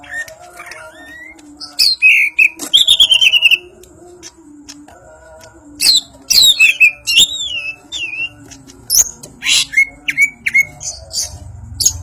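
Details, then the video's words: Banyuwangi greater green leafbird singing in ngentrok style with its crest up: bursts of sharp chatter and clear looping whistles broken by a quiet pause, then short upslurred whistles repeated near the end over a constant low hum. "Cucak Ijo Banyuwangi ngentrok njambul"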